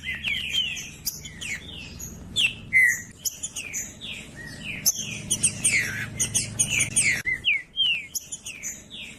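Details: Green-winged saltator used as a tutor ('professor') to warm up a trinca-ferro. It delivers a long run of strong slurred whistles in tight clusters, then a denser stretch of rapid, overlapping notes before closing with a few phrases.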